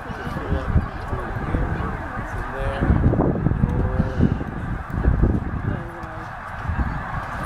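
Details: Middle Creek Wildlife Management Area, Pennsylvania, 2012: snow geese flying from a feeding field to the lake for the night. Distinct short, level honks repeat over a roaring mass of calling birds and low rumble.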